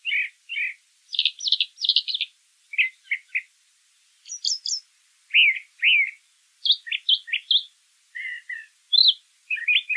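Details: Song of a brown thrasher in nature: a rich run of repeated couplets and triplets of chirpy, slightly harsh notes, each phrase different, including a brief very high burst.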